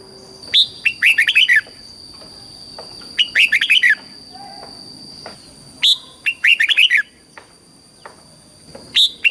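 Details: Red-whiskered bulbul song, southern master style from Thailand, for training young birds and firing up adults: four loud phrases of fast, warbled, chirping notes, each about 2.5 seconds apart.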